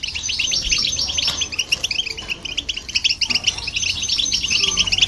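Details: Goldfinch and hybrid singing to excite other birds: sprightly, fast chirping and tinkling trills throughout, rising and falling in loudness, with low background hum.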